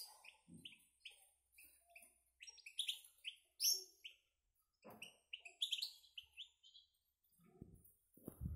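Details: Young caged goldfinch × canary hybrid chicks, slightly bigger than before and now feeding alone: a busy run of short, bright chirps, each a quick high note repeated in loose bursts, with a few soft low thuds from the cage.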